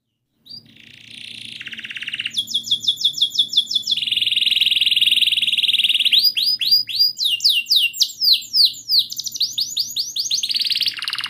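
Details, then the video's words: Canary long rolling song used as therapy for a canary that will not sing: a rising buzzy trill, a sustained even trill, then fast sweeping notes in rapid repeated series. "Kenari Gacor Panjang Cuit cuit Ngerol,TERAPI AMPUH Kenari MACET, Pancingan Kenari Paud Belajar Bunyi"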